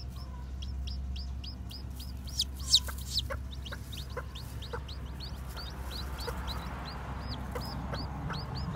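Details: A brood of new white, black-tailed bantam chicks moving around, keeping up a continuous stream of shrill falling peeps, with scattered clicks and taps and a steady low background hum.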